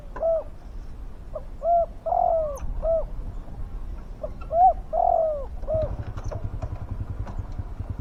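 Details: Spotted dove used as a decoy to lure wild doves, giving deep, big-voiced cooing phrases: a short coo, a longer falling coo, then a short coo, repeated about three times. A low rumbling background joins near the end.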